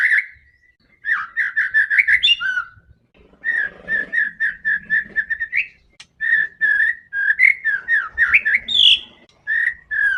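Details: A fierce, fighter-style white-rumped shama sings to bait other shamas, pouring out strings of quick, rich whistled notes in fast bursts, with short gaps between runs and faint background rustling.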